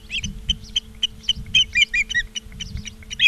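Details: Charlo, Montana osprey nest, 17 August 2023, about 16:04: scattered short whistled chirps, some doubled, coming irregularly every fraction of a second against a quiet humming background.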